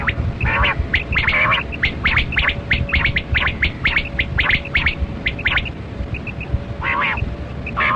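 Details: Kali Kirak quail calling during a hunt: quick strings of dry, scratchy clicks come in bursts, then fall quiet, leaving paired high pips and a faint continuous hum.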